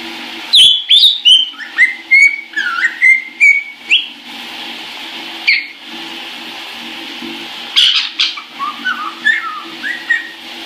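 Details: Caique singing happily in the shower, filmed January 2016, pouring out a rapid series of high chirps and whistles, roughly two per second, pausing, then resuming with another quick burst of twittering over constant shower water.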